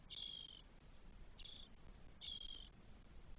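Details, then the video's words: Nest of spotless starling in Spain, 1 June 2022, with four nestlings aged 12 days. Three scratchy, buzzy hiss calls sound about once per second against soft low-frequency background noise. "ШПАК ЧОРНИЙ. ГНІЗДО. ЧОТИРИ ПТАШЕНЯ ДЕНЬ 12."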